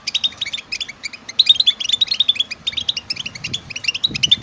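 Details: European goldfinch stimulation song with mating calls intended to spur males into singing; dense bright twittering phrases and clipped chirps, faint low rumbling toward the end.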